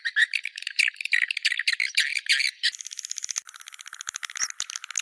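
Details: Swiftlet calls: a dense, rapid rattling chatter of buzzy high clicks and twitters, at first in bursts and then as a steadier fast trill for the last two seconds.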